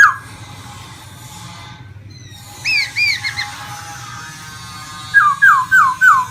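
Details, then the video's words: Caged laughingthrush, a songbird kept for its voice, singing while fanning out and dancing; after a quiet start, short looping whistled notes come in two bursts, the last a run of four rising-falling slurred whistles. "em khướu hót múa xòe như máy bay"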